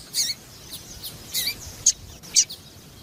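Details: Female double-collared seedeater, a calling "piadeira" used to excite males, gives scattered high, thin chirps, some doubled, spaced irregularly over a quiet background.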